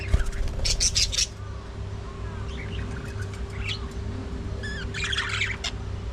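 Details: Budgies during early morning feeding, giving two short bursts of scratchy, buzzy chatter at the start and near the end, with quieter chirps between, over a constant low hum and a faint steady tone.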